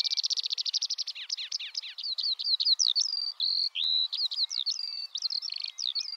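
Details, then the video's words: Eurasian skylark (Alauda arvensis) in song, opening with a fast buzzy trill of repeated notes, then sliding into a chain of quick rising and falling whistled phrases, some held briefly, all high-pitched and unbroken. "Eurasian skylark singing (Alauda arvensis)"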